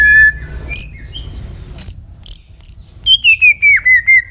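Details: White-rumped shama in contest song training: a steady whistled note, a few high sharp chips, then a run of six even whistled notes slowly falling in pitch.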